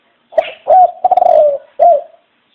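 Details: One full cooing phrase from a dove: a soft introductory note, a drawn-out tremulous coo sliding slightly down, and a short final hoot.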